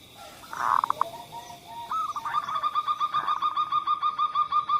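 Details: Zebra dove song as a lure to make reluctant doves sing: a rough opening coo, then a steady train of evenly pulsed cooing notes that continues to the end.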